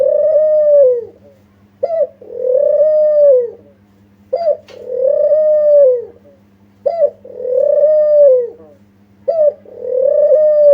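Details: Spotted dove lure call: a short clipped note followed by a long, soft, slightly falling coo, the phrase repeated about every two and a half seconds, four times, with a faint steady hum underneath.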